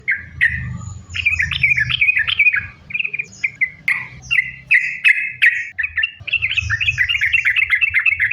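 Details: Lively sooty-headed bulbul song for prompting other bulbuls to sing: chattering phrases at first, then separate spaced chirps, building again into a quick continuous trill of linked notes.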